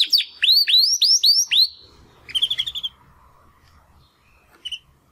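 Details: Young Timbrado canary male, one of two brothers from the second 2020 breeding, attempting song after first molt: five hooked rising-falling whistled notes, a brief burst of short chirps, then near silence.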